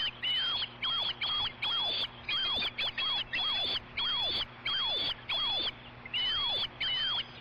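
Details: Osprey at a ranch nest as a fish is delivered and one bird chases another away: loud high whistled calls, each ending in a downward slurred squeal, repeated roughly every half second.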